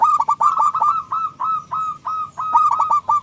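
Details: Loud-voiced local zebra dove, played as a lure to get other doves singing, gives a rapid series of curved cooing notes. Quick bursts at the start and end frame a slower run of spaced coos in the middle.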